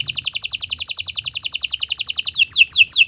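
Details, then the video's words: Canary song for training: a rapid even trill of repeated high notes, changing near the end into a few quick descending chirps. "Kicau Burung Kenari 178 II LUAR BIASA GACOR PANJANG Cocok untuk Masteran"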